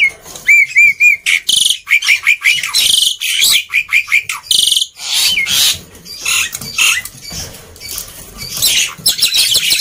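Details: Black-winged myna singing loudly and busily, used as a lure to prompt quiet mynas to sing; opens with a row of four clear rising whistles, then harsh buzzy bursts, rasping notes and sharp chirps in dense rapid succession.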